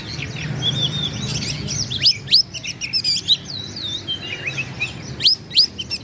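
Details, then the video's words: Oriental magpie-robin song used to goad rival birds: soft warbling twitters build into looping whistled phrases and sharp chirps, with rising upslurs near the end. "KACER GACOR LAWAN PASTI NGAMUK EMOSI NARUNG BUKA EKOR"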